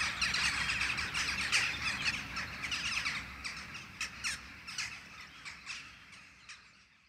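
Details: Jackdaw flock perched in a tree before the setting full moon, original sound: rapid overlapping sharp, harsh calls, about three per second, gradually fading and thinning out toward the end.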